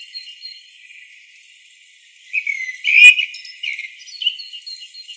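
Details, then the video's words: Singing blackbird giving clear whistled phrases, with rising and warbled notes after a quiet start and a loud, complex phrase in the middle followed by softer twittering notes. "Blackbird song"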